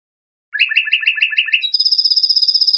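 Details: European goldfinch, an Iranian trained Lor bird, gives a tutoring song for juveniles: after half a second of silence, a run of repeated twittering notes leads into a sustained, very high, fast tinkling trill.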